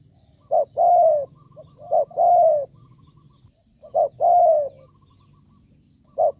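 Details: Decoy spotted dove cooing to attract wild birds: a series of brief notes and long mellow downward coos in loose repeated phrases, steady low hum underneath.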